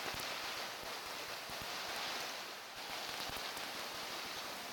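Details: Steady broadband hiss like rain or surf, with scattered faint ticks and no animal calls.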